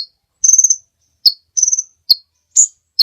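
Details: Kolibri ninja sunbird giving quick buzzy high trills between sharp single chirps, roughly one phrase every half second, as a training recording for other birds.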